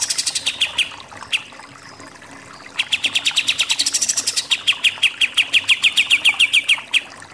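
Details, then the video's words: Pied triller giving its rapid 'tembak' (shooting) song: a few quick note bursts, a pause, then a long, steady series of crisp, high, clipped notes, about six per second, running to the end. "KAPAS TEMBAK SUPER NEMBAK-NEMBAK"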